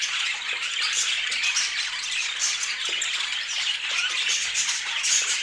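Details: Colourful pet budgerigars twitter continuously, overlapping high-pitched chirps and raspy warbling notes forming a steady flock chatter.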